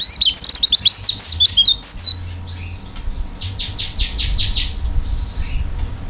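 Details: Oriental white-eye singing with an open beak, a rapid run of high twittering, sliding whistled notes for two seconds, then a quieter series of fast buzzy repeated notes, with low rumbling background noise throughout.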